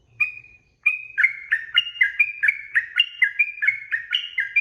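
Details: Tutor recording of sooty-headed bulbul 'ropel' song for cage-bird training. One short whistle is followed by a steady stream of chirpy, liquid notes that step up and down, roughly three per second.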